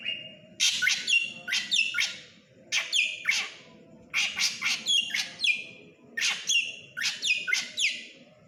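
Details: Black drongo, krantil type, in full active song. It gives rapid runs of harsh, descending, metallic notes with ringing tails, grouped in bursts of three to five, against a constant low humming background.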